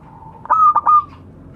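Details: Zebra dove calling its companions, one short phrase of clipped stuttering notes running into a sustained high whistled coo, with a low background hum.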